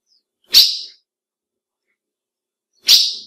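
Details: Female ultramarine grosbeak call, used to excite males: two sharp, short, high chipped notes about two and a half seconds apart, each dropping quickly in loudness, with silence between.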